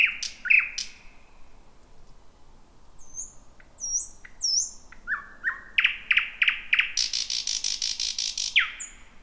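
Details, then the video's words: Thrush nightingale, the first heard in 2026, singing just before midnight in dense bushy thicket near the Roadyfield area; varied song of high thin whistles, repeated clipped notes in quick series, then a loud dry rattling burst. "Whippavoo the Thrush Nightingale"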